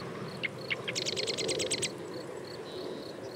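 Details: Marsh wren song: a few scattered sharp introductory notes, then a fast buzzy rattle of about eight repeated notes lasting just under a second, with a faint steady high tone in the background.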